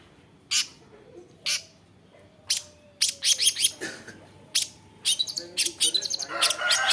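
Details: Long-tailed shrike (cendet), known for imitating the voices of other birds, gives isolated sharp chirps about once a second, then breaks into a quicker burst of high, buzzy twittering notes.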